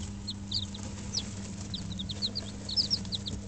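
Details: Five-day-old bantam chicks, Dutch and Barbu d'Anvers, huddled in a brooder with an electric hen for warmth, chirp in scattered high, slurred peeps, some doubled, over a low steady hum.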